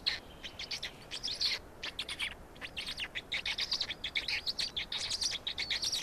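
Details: Black stork feeding in Estonia on 16 May 2019, 16:58: high wheezy squeaks from chicks, a patchy start building to a rapid, pulsing run of short notes.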